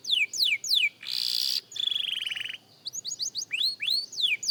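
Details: Young canary in singing practice: downward-sweeping whistles, then a loud harsh burst, a rolling trill, and a string of short rising whistled notes.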